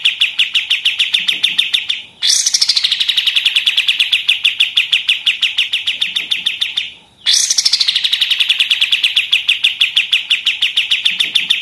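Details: Long, relentless machine-gun trills of a pied triller, sung as a tutor recording for other songbirds: sustained bursts of evenly spaced sharp notes, each run about five seconds, with a rising start and almost no pause between runs.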